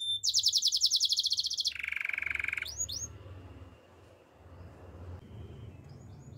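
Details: Gloster canary song for training canaries: a rapid high pulsed trill, then a lower buzzy rolling trill, a couple of upslurred whistles, followed by quiet low background hum with faint notes at the end.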